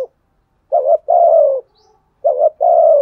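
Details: Deep-voiced 'thổ sấm' spotted dove used as a lure: a short coo and then a long, level-to-falling coo, the pair repeated twice.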